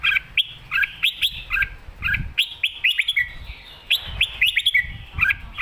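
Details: Red-whiskered bulbul singing rapid runs of clear whistled two-note phrases in a spirited master-song style, with occasional low thumps in the background.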